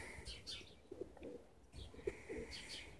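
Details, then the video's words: Birds singing in spring 2017 at Borisovka, Bendery, among trees in blossom: short high chirps and twitters repeat over a steady background hiss, with a few low soft notes. "Цветут деревья и поют птички"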